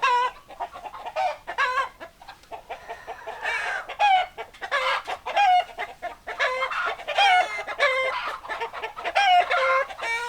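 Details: Hens clucking and cackling together, repeated bright harmonic notes in quick succession, steady busy chatter with several louder drawn-out calls spread through.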